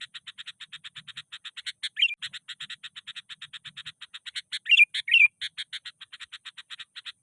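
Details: Sooty-headed bulbul, agitated and challenging a rival: rapid, steady series of short high chirps, about two per second, broken by a few louder slurred twittering notes.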